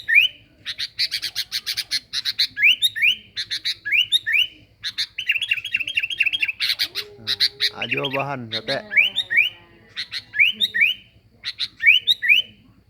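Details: Sooty-headed bulbul (kutilang) in full, busy song used to lure birds: repeated short phrases of two or three upward-sweeping whistles, each led by sharp clicking ticks. Midway comes a harsher, buzzy sweeping noise, over a steady faint hum.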